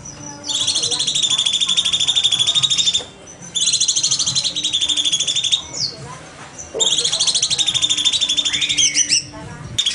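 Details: Master recording of a cucak cungkok bulbul's rapid 'nembak' song for bird training: three sustained, high, buzzy machine-gun trills of two to three seconds each, with brief gaps and sharp rising notes at the ends of the bursts.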